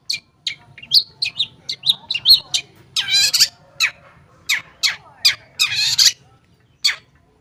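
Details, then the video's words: Long-tailed shrike song meant to set quiet shrikes singing: a quick series of thin high chips and whistles, then loud rough buzzy bursts and spaced sharp notes trailing off. "Pancingan Cendet Ampuh, Pancingan Cendet Bahan Atau Macet Bunyi, Cendet Macet Akan Ikut Bunyi"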